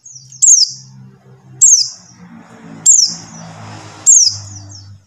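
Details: Buxtoni white-eye call meant to prompt silent white-eyes to sing: four high, slurred, downward-sweeping notes about every one and a quarter seconds, over a low steady hum and faint background noise.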